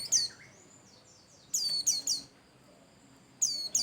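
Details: Bustomi-type white-eye singing actively as a lure to prompt other birds to sing: a high downslurred whistle at the start, then a quick run of three sharp descending chirps after a pause, and two more near the end.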